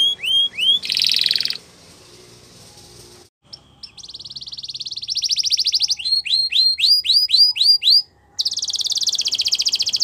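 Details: Belgian canary singing rising whistled slurs, then a buzzy rattle, a pause, a long fast trill, a run of quick up-slurred notes, and another rapid rattle.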